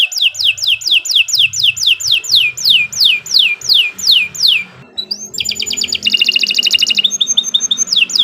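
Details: Canary singing in a recording for training birds: a long, regular run of loud downslurred whistles, a short pause, then a dense, buzzy rapid trill and a few more slurred notes.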